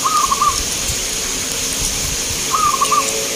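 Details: Competing local zebra dove at a song contest in Grabag, Magelang, Indonesia: two brief purring, stuttered coo phrases about two seconds apart, set against steady broadband hiss and faint low rumbling.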